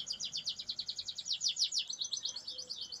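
A canary sings a fast, high rolling trill of about eight notes a second, sweeping and sliding near the top, then a steadier buzzy passage.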